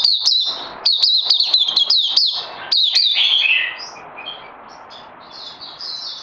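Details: Oriental white-eye kept in a cage, crazy LG song style, 31 May 2020: a burst of quick, bright down-slurred chirps for about four seconds, then fading to a few soft, distant high notes.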